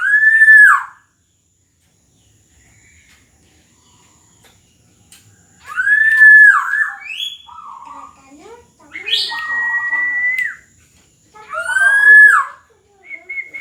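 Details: Black-naped oriole singing; loud fluted whistles around two kilohertz that slide and drop, given in bursts a few seconds apart, with shorter warbled notes between them and quiet gaps.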